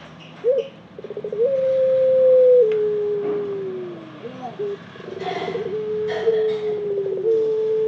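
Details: Low, mellow cooing by a ringneck dove, a stuttered roll leading into a long sustained coo that drops in pitch, followed by further rolled and held coos; scattered faint chirps from other birds.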